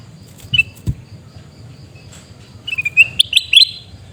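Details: Sooty-headed bulbul recorded around a rural home in Pidie, Aceh, giving an uneven, rising series of sharp chirps lasting about a second. A single note and a soft thump come earlier in the recording.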